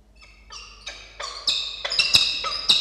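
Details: Peregrine falcon pair at a tower in Orange, New South Wales, in November, calling together to celebrate a fledgling juvenile reaching the tower top; harsh, rasping notes repeated in quickening bursts, growing louder toward the end.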